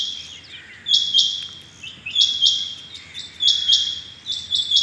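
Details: Rain quail in the morning of 6.7.21 calling rapidly: bright, piercing paired notes in quick succession, each pair about a second apart, with brief softer chirps between.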